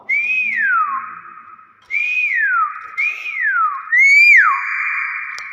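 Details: Common hill myna, a talking pet bird, giving loud whistles: four rising-then-sharply-falling whistled notes spaced about a second apart, the last one ending in a long steady tone, while a person speaks nearby.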